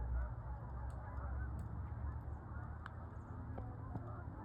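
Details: Canada geese in big groups flying high, dated 1/4/26, give a distant chorus of overlapping honks, with a deep low hum throughout and a few sharp clicks.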